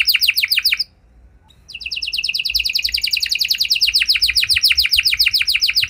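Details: A canary sings to provoke other canaries into song: a quick high trill, a short pause, then a renewed fast run of repeated falling notes that continues to the end.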